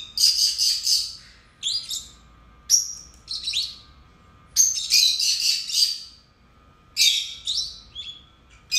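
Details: Two pet lovebirds giving shrill, twittering song, long chattering bursts alternating with single rising and falling squeaks, with short pauses of silence between phrases.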